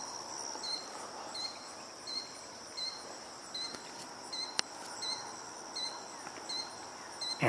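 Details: A Killdeer vocalizing at Ferris on 13 August 2022 gives short, high, sharp notes repeated about every two-thirds of a second, over a steady high insect drone.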